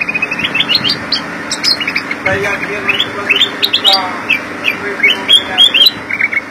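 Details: Bulbul, identified as a black-crested bulbul (kutilang emas, Pycnonotus melanicterus), chatters busily in quick, bright whistled phrases and rising chirps over a steady low hum; identified here as sooty-headed bulbul.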